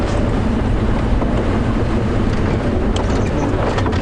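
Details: Engine rumble from a safari vehicle on a sunrise drive, steady low droning with wind buffeting the microphone and no animal calls.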